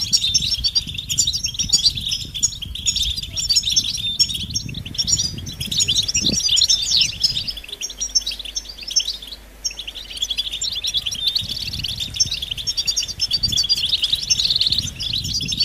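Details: European goldfinches calling in chorus, mating and readiness calls that stimulate males to break silence and sing; sustained high twittering with buzzy and trilled notes over fifteen seconds, a low thud near six seconds.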